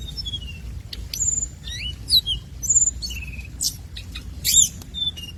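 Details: Minivet lure singing in a busy sequence of piercing high whistles, drawn-out level tones and curved slurs, broken by brief sharp ticks, with faint low background noise.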